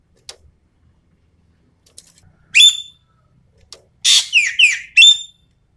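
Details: Lure song of a Sumatran common green magpie: a strong falling whistle, a pause, then a harsh rasping onset leading into a quick series of downslurred, overtone-rich whistles. Faint clicks appear in the quiet gaps.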